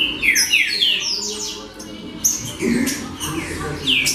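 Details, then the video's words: Baderna-style singing of the green-winged saltator: loud falling whistles and sharp high slurs come in rapid bursts, then a short quieter gap, over a faint low hum. "Baderna De Trinca Ferro Show!!!"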